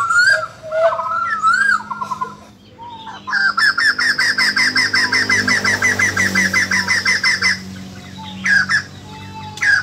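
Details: Caged white-crested laughingthrush being trained to sing, 2020; slurred whistled notes, then a long even series of rapid loud two-toned notes repeated about three times a second, ending with a few more whistles over a low hum.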